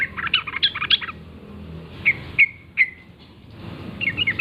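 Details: Wild yellow-vented bulbul in morning forest. A quick bubbly phrase is followed by three separate clear chirps with falling tails, then another warbled phrase begins. A low hum runs throughout.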